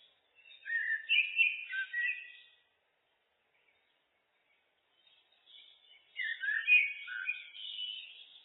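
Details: Common blackbird singing: a warbling whistled phrase with a twittery close, about two seconds of silence, then a longer phrase of fluty notes mixed with scratchy chatter.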